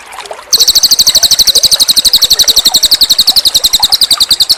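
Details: Cililin bird singing energetically for a master training track: after a moment of trickling water, a loud, sustained, very fast trill of high repeated chirp notes fills the rest.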